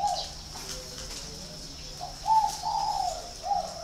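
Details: Caged spotted dove in Ba Vì, Hanoi, Vietnam, with a faint coo at the start, then after a pause a strong phrase of a brief note, a sustained warbling coo, and a short closing note; steady high hiss behind.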